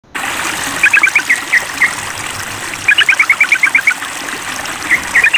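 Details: Sooty-headed bulbul calling a rival during a mental test: bursts of rapid, bubbly chattering notes, each run lasting about a second, separated by pauses, over a constant rushing hiss like flowing water.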